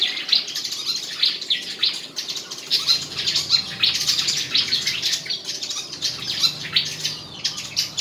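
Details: White-throated fantail song contest recorded at Tân Qui, Củ Chi, with bright high twittering phrases and quick sharp notes repeated in irregular bursts over eight seconds, the singing continuous and close.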